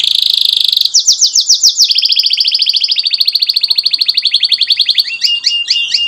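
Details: Lively canary song used as a tutor for young canaries: rapid high trills, sweeping downslurred notes, a long even rolling trill, ending in quick paired chips, loud and unbroken.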